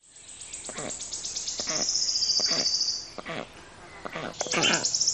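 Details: Black storks calling: bursts of harsh, rapidly pulsed rasping notes, with a thin high hissing tone running through the middle and again near the end, separated by brief quieter gaps.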